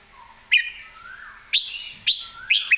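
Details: Red-whiskered bulbul giving short, punchy whistled notes, four crisp phrases roughly half a second apart, each starting with a sharp click, while a softer sliding whistle sounds faintly underneath.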